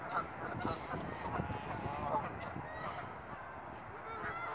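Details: Geese in a preserve in early spring 2017, enjoying fine weather: many overlapping nasal honks, ragged and irregular at roughly eighty a minute, forming a busy chorus over low rumbling background noise.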